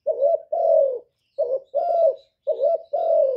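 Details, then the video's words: Spotted dove cooing: three phrases in about three seconds, each a short wavering coo followed by a longer, steady then slightly falling croo, low and mellow, in otherwise quiet surroundings. "TIẾNG CU ĐẤT, CU CƯỜM GÁY, CU GÁY CHU LÈO, CU GÁY CÀ LĂM, TIẾNG CU ĐẤT, CU GÁY KÍCH BỔI, CU GÁY GÙ"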